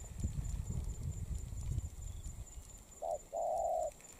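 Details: Molting wild-caught spotted dove giving two coo notes at the end, a short one then a longer, steady hollow note, after several seconds of low rumbling background noise.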